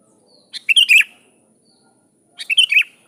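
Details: Sooty-headed bulbul (kutilang) in lively voice, calling a rival, used as a lure call: two short bubbly, chirping phrases about two seconds apart, each a quick cluster of bright notes, in quiet surroundings.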